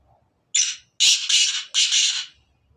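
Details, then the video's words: Black francolin of the Sindhi type calling loudly: a brief rasping opening note followed by three harsh, buzzy, grating phrases in quick succession, with a quiet background. "کالے تتر کی اواز کالے سندھی تتر کی اواز Kale teetar Ki Awaaz Kale Sindhi teetar Ki"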